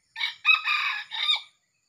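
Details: A junglefowl seen together with a young male crows once at a luring site. The hoarse call opens with a short note, swells into a sustained rough middle section, and ends on a falling syllable. No other clear sounds.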